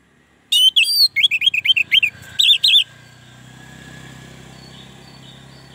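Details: Orange-headed thrush singing a sound that lures other orange-headed thrushes: a quick burst of about a dozen sharp, scratchy, high notes over two seconds, followed by a faint low hum.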